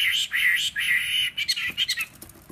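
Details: Wild-caught Chinese hwamei in its third caged season, a fighting bird singing on a table, its voice slightly hoarse; strong, slurred whistled notes in steady phrases, breaking into shorter rapid chirps.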